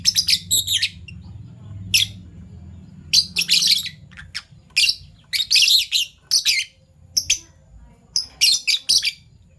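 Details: Fischer's lovebirds, a violet and a gold opaline, calling in the morning: busy runs of harsh, high chirps and squawky bursts, often in tight clusters of three or four, with brief pauses and faint low hum underneath.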